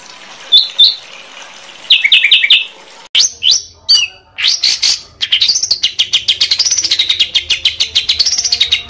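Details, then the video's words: Master recording of songbird song for training competition birds: high clipped chirps, then abrupt whistled notes, building into a fast run of rising-and-falling warbled notes repeated rapidly, with cut-together segments. "SUARA BURUNG MASTERAN BURUNG LOMBA"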